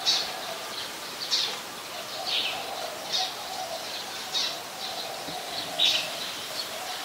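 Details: Scaly-breasted munia, Ubon Ratchathani, Thailand, 26 March 2022: brief sharp high chips spaced about a second apart, some doubled, against a steady buzzing background drone.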